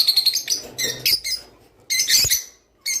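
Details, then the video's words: Java sparrow song, meant to prompt pet birds into mating: bursts of bright, clicking chirps in quick clusters, separated by short pauses, with a final brief chirp. "تغريد روز / صوت روز/حفزطيورك علي التزاوج"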